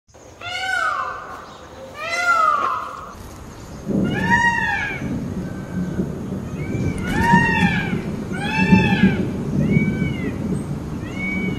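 A peacock gives loud, wailing, cat-like cries in short arched bursts, about eight over ten seconds, over a steady low rumble like wind.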